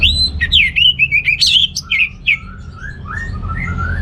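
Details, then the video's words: An orange-headed thrush sings to rouse males lacking breeding drive. A fast string of clear, looping whistled notes is followed by lower, softer slurred whistles rising at their ends. "ANIS MERAH Gacor Untuk Pancingan AM Jantan yang Kurang Birahi"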